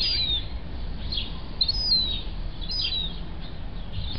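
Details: Thirty-day-old gull chick kept at a home, giving thin, high whistled peeps that slide downward, repeated roughly every second over a steady low rumble.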